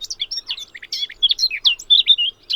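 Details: A male Blackcap singing from a favoured bramble perch in a small woodland with low scrub and bramble patches gives a fast, rich warble of varied high, fluty notes, tumbling along without pause.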